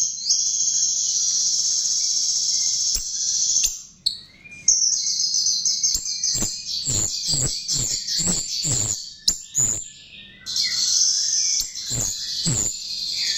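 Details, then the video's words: A chestnut-tailed starling lure: a sustained shrill high whine, brief breaks, then a string of sharp high chirps about twice a second, with a soft whistled note or two. "Pancingan Jalak RIO RIO"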